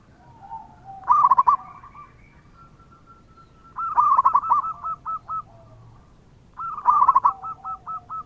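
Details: Zebra dove of local stock singing energetically, meant to draw replies from other doves: three loud rolling, stuttered coo phrases, each trailing off into a row of clipped notes, with faint softer cooing in the pauses.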